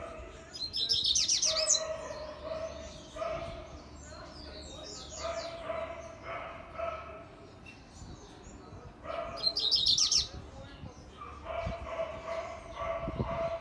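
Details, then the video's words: Coleiro (double-collared seedeater) singing the fast Grego style: two short bursts of rapid, high, chattering trilled notes about nine seconds apart, with steady lower whining tones and faint chirps running between them. "Coleiro Grego Rápido"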